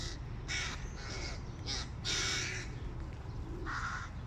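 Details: Hungry hooded crow chicks beg noisily on seeing their father arrive with food: about six harsh, raspy, hoarse calls in quick succession, uneven in spacing, over a low rumbling background.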